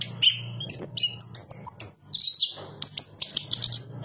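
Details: Song of the Chestnut-capped thrush: sharp high whistles, slurred notes and rapid twitters in an energetic run, accompanied by a low background hum.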